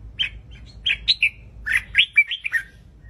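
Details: Red-whiskered bulbul singing a quick run of bright, liquid whistled notes, rising and falling between about two and four kilohertz in short bursts, roughly ten phrases over three seconds, with a faint low hum beneath.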